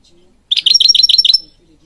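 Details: European goldfinch song for training birds: one rapid, even run of about a dozen twittering notes lasting about a second, topped by a fine sustained high whistle.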